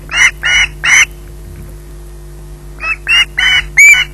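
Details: Harsh, loud squawks from an osprey waiting for food at RSPB Loch Garten, three rapid calls, a pause of nearly two seconds, then four more, all with a constant low electrical hum beneath.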